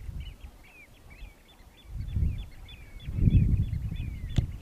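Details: Displaying Eurasian oystercatchers on Terschelling (Hoorn), 2015, give a rapid, excited run of shrill piping notes, about three a second, over heavy wind rumble.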